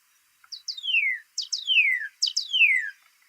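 Northern Cardinal song: three quick phrases, each two short high chips followed by a long, clear whistle sliding steeply downward, about one phrase per second.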